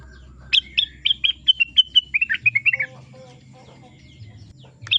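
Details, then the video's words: Rengganis bird song: a rapid string of about twelve clear, whistled notes, each sliding down slightly, falling gradually in pitch over two seconds, followed by quieter lower warbles and one final sharp high note, with low background hum. "Suara Burung Rengganis"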